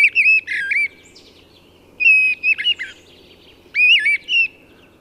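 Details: Mistle Thrush song, very like a blackbird's but more eager and hurried: short, fluty phrases, less deep and varied in pitch, delivered in quick succession about every two seconds without a squeaky ending, over faint background hiss.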